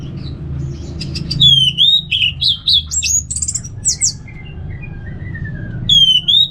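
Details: Orange-headed thrush in relaxed ngeplong song, delivering about a dozen loud whistled and slurred notes in quick succession, then soft gliding notes before a fresh whistled phrase starts. A low hum sits underneath.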